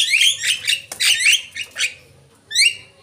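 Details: Lure call of the Javan myna, a quick run of harsh, buzzy squawks and bright whistled notes, ending with one clear rising whistle after a short gap.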